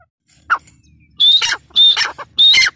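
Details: Teetar, the grey partridge, gives three loud, harsh phrases with a short high whistled note in each, spaced about half a second apart, after one faint opening note. Quiet background.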